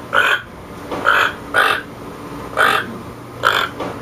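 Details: Toucan giving five harsh, croaking notes, each a short rasping burst, spaced roughly every half to one second over a steady low background hum.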